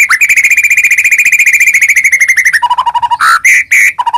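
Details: Lure song of a white-rumped shama, meant to make other shamas sing: a long, fast, steady trill of whistled notes, followed by lower flute-like notes and short, sharp higher whistles.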